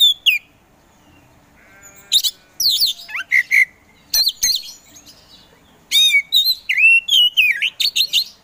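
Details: Caged Oriental magpie-robin (kacer) in full song: a falling whistle, a brief harmonic rasp, then rapid varied chips, sharp sweeps and rising-falling whistled phrases delivered in quick bursts.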